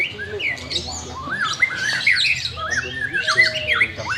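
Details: White-rumped shama, a bird being trained because it is reluctant to sing: dense, overlapping whistled and buzzy phrases, with quick rising and falling notes layered over one another and a low hum underneath.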